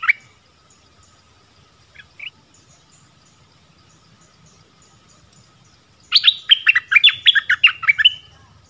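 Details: Forest recording from 13 January 2021 of a caged dok taeng decoy calling a mate; a few isolated chirps and a long quiet stretch, then a burst of rapid, bright chirping near the end.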